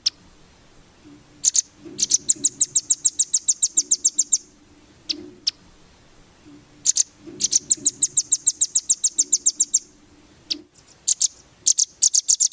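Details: Velvet-fronted nuthatch training song for competition birds: long, rattling trills of rapid high chips, each run lasting two to three seconds, repeated with short gaps and occasional single sharp notes in between.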